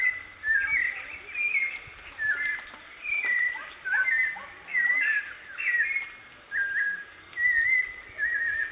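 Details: A wild white-necked thrush sings in its natural habitat. It gives a continuous run of short, varied whistled phrases, sliding and warbling, in bursts about once a second, with faint background hiss.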